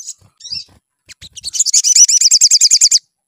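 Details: Sunbird song played as a lure to get birds singing: a few scattered high chips speed up into a fast, even trill of sharp notes repeated about three times per second, lasting roughly one and a half seconds.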